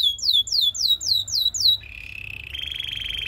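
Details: Belgian canary singing to lure other canaries: six slow, loud downward-sliding whistles, then a rapid low trill rising into a higher buzzing roll.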